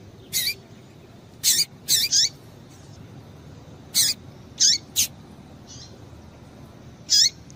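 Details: Piping calls of a female double-collared seedeater, used to get the male singing: short, sharp, high chirps with falling tails, some single and some in quick pairs, scattered irregularly about every two seconds against low background hiss.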